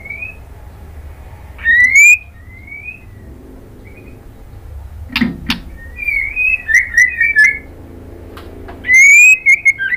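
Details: Calling female white-rumped shama answering a male: bright rising whistles at intervals, a cluster of quick chattering whistled notes mid-way, and a final loud upslurred whistle with a short trill.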